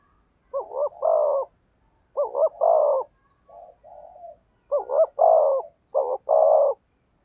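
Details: Spotted dove performing thúc gù cooing to bring in wild doves. Clean, repeated hoarse coo phrases, four loud ones with a soft muttered note in the middle, against otherwise quiet surroundings.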